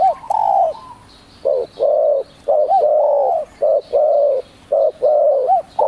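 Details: Spotted dove of village type, called terkukur, used as a lure for trapping; a series of loud mellow cooing notes, rising then falling, given in short bursts with brief gaps between phrases.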